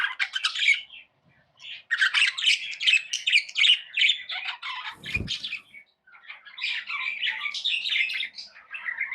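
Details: Tame budgerigars chirp and squawk in busy overlapping bursts of scratchy high notes, broken by brief pauses and a single low thump near the middle.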